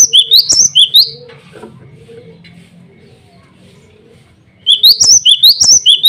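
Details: Male cinereous tit (glatik batu) calling out to rivals and females: a fast run of high rising chirps, then a long pause with faint low hum, then the chirping series starts again.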